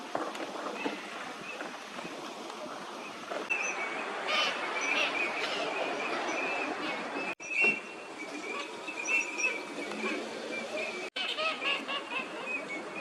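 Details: Several Eurasian teal (Anas crecca), winter visitors at Junsai Pond green park, Chiba, Japan, in February 2024, give short, high, whistled notes in irregular bursts over a steady rushing background roar.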